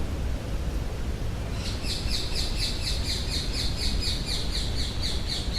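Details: Loud birds calling in Hyde Park, London, on a windy day: after a second and a half of steady roaring wind, a rapid series of high, sharp chirps begins, about three per second and regular, over continuous heavy wind noise.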